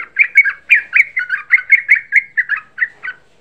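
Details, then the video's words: Young yellow-vented bulbul used as a lure recording to provoke other bulbuls into calling, giving a rapid string of bubbly, gurgling notes, about three or four a second, steady in pitch, with no other sounds. "Suara Pancingan Trucuk Muda Ampuh Menaikkan EMOSI"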